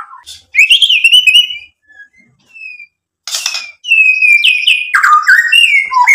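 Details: White-rumped shama song meant to provoke other birds into replying with mimicked material: a clear falling whistle, scattered soft notes in a lull, then a rapid series of stepped, descending whistles.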